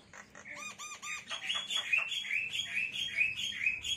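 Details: Javan myna parents, free-flying pets, feed their five-day-old chicks in a cage; a few ringing nasal squawks give way to a steady chatter of harsh, rising notes about twice a second.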